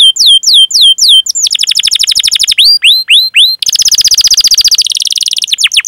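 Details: Canary song used as a lure for young canaries, chirping and rolling: repeated hooked whistles, then fast rising rolls, a buzzy rapid trill and a few final falling sweeps, with tempo changing between sections.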